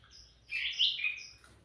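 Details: Sooty-headed bulbul singing vigorously, used as a lure for other birds: a short, bright warbled phrase, rising then falling, with a louder middle note and a fainter whistle after it, over quiet background.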